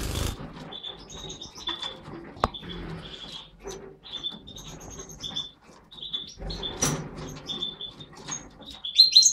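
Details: A captive aviary pair of European goldfinches, a mutant satiné male and a yellow-mutated parva female, give bright, tinkling high chirps in quick scattered bursts, with occasional wing flutters and sharp knocks.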